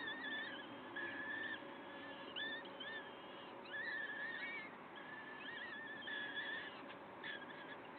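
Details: At a Wakefield nest site on 5 May 2021, 06:55, peregrine falcon voices form a near-continuous series of harsh, wavering wails, some sliding upward, others flat and sustained, with brief pauses between bursts and constant background hiss.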